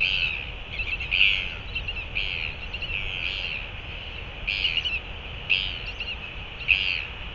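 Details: Northern royal albatross hatchling at its nest in New Zealand gives high, squeaky begging calls in short bursts, roughly one a second, as its mother feeds it regurgitated stomach oil, over a steady background hiss.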